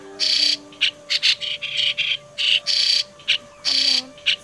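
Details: White-cheeked starling, a migrant, in a lure recording used for bird catching: rasping, noisy chatter delivered in clipped bursts of varying length, with soft humming tones below.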